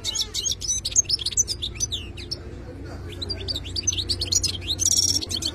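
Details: Wild-caught khalawi European goldfinch singing a lively run of high twittering notes, rising slurs and a buzzy burst near the end, low hum behind.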